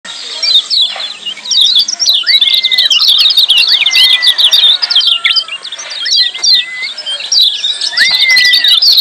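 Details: Lemon-bellied white-eyes giving a busy, noisy 'ciak' chatter, used as training audio to coax silent birds into singing: dense high twittering chirps over steady long whistled notes that rise and fall, recurring every couple of seconds.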